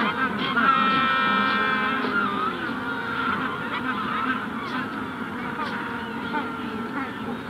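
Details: Adult Magellanic penguins at the hatching stage at Punta Tombo bray close up in harsh, donkey-like honks with rich harmonics, while the wider colony calls as a steady murmur in the distance.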